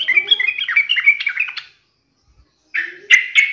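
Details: Yellow-vented bulbul taunting an opponent, singing loudly: a rich, rolling warble of mixed liquid notes for over a second and a half, a pause, then another bubbly phrase starting.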